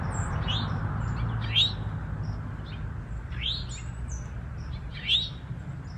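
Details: Eastern towhee, one of a male and female pair singing in woods, where the male defends nesting territory; loud upslurred notes rising sharply, given about every one to two seconds, with thin high chirps of other birds and low rumble.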